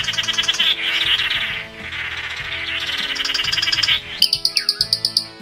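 Blue Manakin song: burry, nasal notes in long runs, ending in a quick series of short repeated notes, over soft background music.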